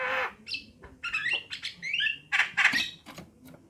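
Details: Short stretch of Javan myna song from a female and male, opening with a harsh rasp, then gurgling chirps and bright upward-slurred whistles in quick succession.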